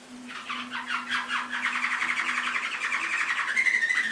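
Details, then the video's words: Canary tutor song: a fast, buzzy, pulsed roll of mid-high notes, rapidly repeated, ending in a clearer sustained whistled tone. "Masteran Suara Burung Kenari"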